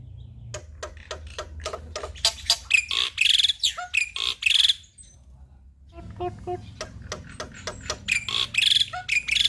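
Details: Black-winged myna (white starling), a lively male whose song is used as a lure to rouse quiet captive starlings, sings harsh, rasping chatter at about three notes per second with loud squeaky whistles, pausing briefly and then resuming over a low hum.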